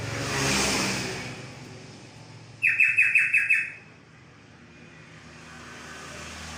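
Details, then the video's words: A single burst of olive-winged bulbul song, six fast, slurred, descending whistles in about a second. A passing vehicle rises and fades before it, and engine hum continues afterwards. "Kicauan burung trocok"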